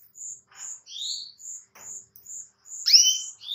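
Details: Female canary calling the male, giving evenly spaced, brief high piping notes, with one rising sweep early on and a loud double-toned downslurred chirp near the end.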